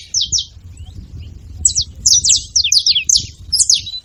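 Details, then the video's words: Saffron finch at a feeding spot: two quick high chirps, a short gap, then a busy burst of sliding, falling chirps, some doubled, over a quiet low hum. "Canário da terra fazendo barulho na seva"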